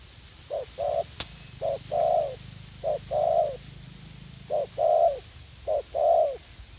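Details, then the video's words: Spotted dove, a young decoy described as eager to fight, in a garden at U Minh; four rhythmic pairs of a quick low note and a sustained coo, with one sharp click early and low rumbling in the background. "Gác Cu Gáy / Bổi Tơ Háo Đá"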